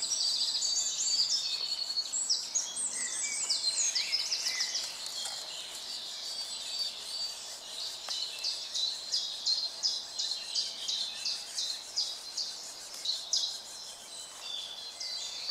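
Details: Middle Spotted Woodpecker nestlings in a nest in a broken oak beside a footpath, fed mainly cockchafers by a parent, keep up a shrill, rapid chorus of high, scratchy begging calls.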